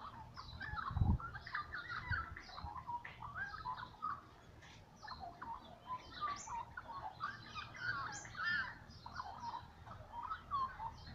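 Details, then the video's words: Little magpies singing in the morning: soft, busy warbling of rich, slurred notes runs throughout, set against a low background rumble with a brief dull thump near the start. "Littlle magpies singing in the morning"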